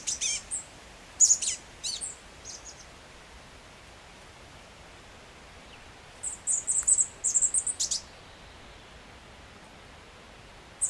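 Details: Chestnut-backed Chickadee (Poecile rufescens) in Washington, in summer while busy feeding young, gives very high, thin, lisping notes in short scattered bursts, some quick and twittering, with quiet pauses and soft hiss.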